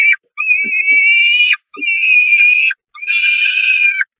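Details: Starving Peregrine falcon chicks at a church nest, Catharinakerk, 5 May 2021, mobbing their mother: a short note, then three long high wheezy wails of about one second each, with faint low thumps between calls.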